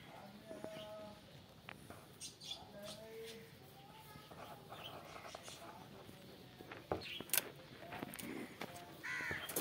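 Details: Common pheasant (ringneck) from a captive breeder pair giving short harsh, squawking calls, the loudest burst near the end, with soft human voices and low background clatter throughout.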